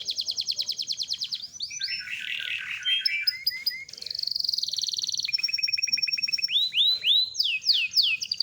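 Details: Canary singing a long rolling song used as training audio: rapid high trills switching between buzzy rolls, pure whistled tones and repeated upward-swooping notes, each section held a second or two before changing.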